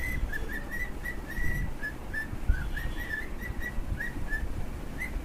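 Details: Two cockatiels whistling softly: a string of short, clear notes, a few slightly longer and drawn out, with low room rumble underneath.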